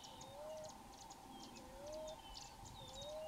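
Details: Wild Common Ground Dove perched in a tree in Florida, cooing by expanding its chest and expelling air through its nostrils. It gives soft, rising coos about every second and a half, with faint high chirps from other birds and a steady hum.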